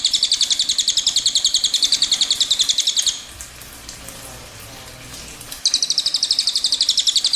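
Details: Cililin delivering a long rolling trill: high, buzzy notes in quick even succession for three seconds. A quiet stretch with faint low hum follows, then the rapid rolling starts again.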